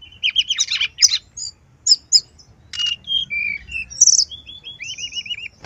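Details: Brown-chested jungle flycatcher warbling, used to prompt singing: a jumble of quick notes, then separate falling whistles, and at the end a series of five looping, wavering whistled notes.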